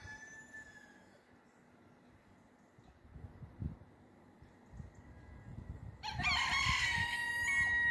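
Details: A rooster crowing in the early morning of 22 August 2022 at Attard, Malta: after a stretch of low rumbling background noise, a loud, harsh, drawn-out crow bursts in about six seconds along and holds to the end.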